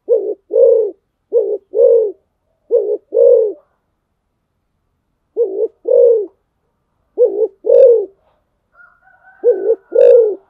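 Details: Decoy spotted dove repeating five deep coo pairs, each a short note and a longer rounded one, spaced by brief pauses; a faint thin whistle near the end.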